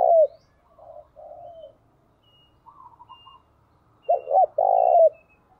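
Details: Captive decoy spotted dove in Vietnam, used to lure wild birds. Softer low coos and a higher faint burble lead into a loud, hoarse coo phrase, a quick doubled note then a long rough note, with faint high whistles in the background.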